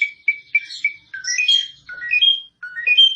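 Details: Asian pied starling, jalak suren, whistling: several short clear notes repeated evenly, then upward-slurring whistled phrases, each rising from low to high pitch.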